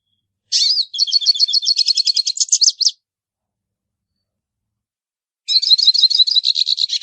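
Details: Hooded siskin song: two bright, high phrases of rapid repeated twittering notes, the first about two and a half seconds long, separated by silence, clean with no other sounds.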